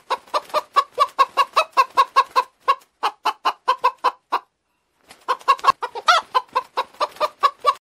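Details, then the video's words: Domestic fowl clucking: a brisk train of short, harmonic-rich clucks, roughly two or three a second, a brief silent gap, then more clucks and one drawn-out, wavering squawk. "SOM DAS GALINHAS"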